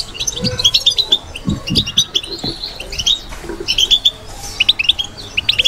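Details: European goldfinch performing bitbita: lively high twittering made of clipped chirps and quick rising notes in irregular bursts, ending in a cluster of sharp upward-sweeping calls, with some low knocking sounds.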